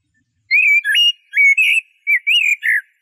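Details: Song of a Eurasian blackbird: a run of mellow, slightly rising and falling whistled notes given in quick succession, some with faint high overtones, in a quiet setting.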